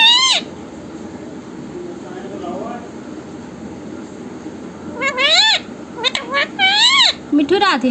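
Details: Talkative pet parrot repeating "Mithu Radhe Radhe". After several quiet seconds it gives a run of shrill, nasal, speech-like syllables, each bending up then down, in quick bursts near the end.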